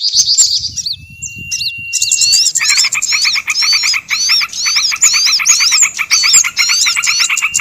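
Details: Small-bird lure sound: scattered high chirps and a long flat whistle, then a continuous layered chorus of wavy high whistles over a rapid pulsed buzz, about two notes a second.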